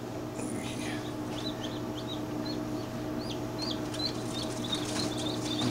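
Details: Many chicks in a homemade incubator-hatcher peep at once, high thin rising and falling cheeps scattered through the clip, over a steady machine hum and a man talking.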